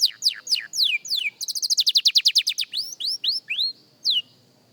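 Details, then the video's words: Singing practice by a young canary: falling whistled strokes lead into a fast, loud trill of steep sweeps, followed by several upward-curving slurs and a final falling note. "Young Canary Singing Practice – Surprisingly Good for a Beginner!"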